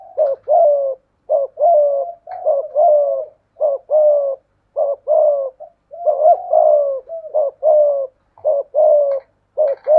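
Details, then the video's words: Spotted doves dueling: a decoy dove with a 'thổ pha thúc' voice coos ('gù') against a wild dove. Low, throaty coos are paired and grouped, roughly one per second, in steady bursts across the whole stretch. The background is quiet. "cu gáy giọng thổ pha thúc GÙ đấu với bổi, tiếng gáy bổi nghe rất ghét và gáy theo hiệu quả"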